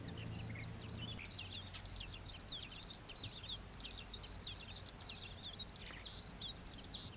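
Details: Oriental pratincoles, recorded at Xinyuan, Taiwan, where they are common summer visitors breeding in dry open land, keep up a busy, overlapping chatter of sharp, high, tern-like notes with no pause, over a low background rumble.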